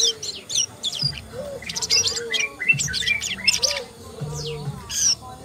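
Asian brown flycatcher giving rapid, thin high chirps and quick sweeping notes in dense bursts, over a faint low hum.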